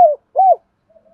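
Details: Spotted dove used as a lure bird for wild doves, with the 'thổ' voice style: two short mellow coos, the second arched and rounded, followed by faint low trailing notes.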